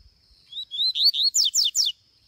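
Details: Rusty-collared seedeater, a kept bird, taken out into the bush, singing: two short rising whistled slurs, then three quick steeply falling sweeps, all high-pitched, over a steady thin high whine.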